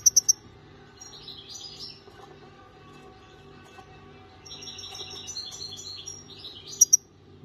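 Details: European goldfinch of the parva form singing softly: thin high twitters and warbled notes in loose phrases, with a few sharp bright chips at the start and end.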